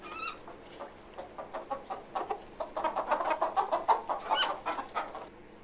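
A rooster clucks in quick, uneven bursts of short, throaty notes, about three a second, with a brief higher squawk at the start.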